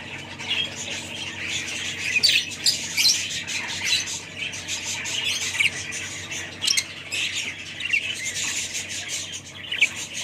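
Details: A group of budgerigars chattering nonstop: dense, scratchy squawks and quick high chirps overlapping throughout, with several sharper louder squawks standing out near the middle and toward the end.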